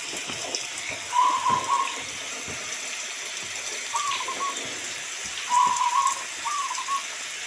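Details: Local zebra dove with steady rain: brief wavering cooing phrases at mid pitch, heard about every two to four seconds, partly masked by the hiss of rain.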